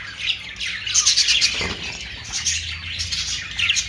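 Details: Budgerigar calls: rapid scratchy chirping and warbled squawks running throughout, with a soft low hum in the background.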